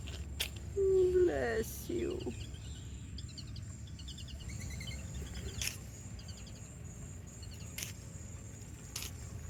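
A whistling duck gives a couple of quick, nasal, squeaky sneezes in under two seconds; faint high twittering of small birds and a low rural hum follow.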